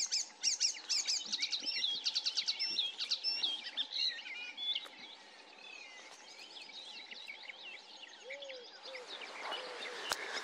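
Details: Icterine warbler in song at Løten in 2024: fast, loud burst of repeated chirps and scratchy trills, then a quieter varied twittering, with low downslurred whistles near the end.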